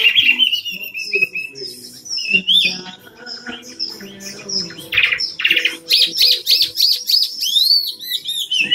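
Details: Tame Cao Bang Chinese hwamei, three seasons old, said to sing well all day long. It delivers loud, dense, continuous song with fast trills, ringing whistles and rapidly repeated up-slurred notes.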